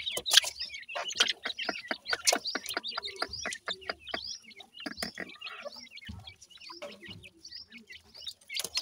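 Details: Black francolin chicks, known locally as Pakistani teetar, during feeding time; many high, thin peeping and chirping notes in rapid, overlapping bursts, with occasional lower clucking notes and soft handling noises.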